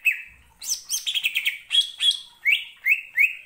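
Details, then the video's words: Greater green leafbird lure song meant to provoke rival birds: a rapid jumble of high chirps and trills, then clear whistled phrases repeated about once a second. "pancingan cucak ijo gacor ngentrok‼️ampuh bangkitkan emosi"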